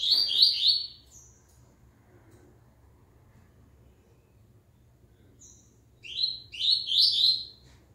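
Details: Double-collared seedeater back in song after the moult: two short bursts of high, rapid, sliding twittered notes, separated by several seconds of quiet with faint background hum.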